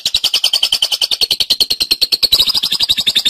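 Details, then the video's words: Cendet, or long-tailed shrike, singing gacor as master material for songbird training: an unbroken rapid chatter of short, bright, high notes, roughly nine per second, steady throughout. "Suara Burung Cendet | Gacor"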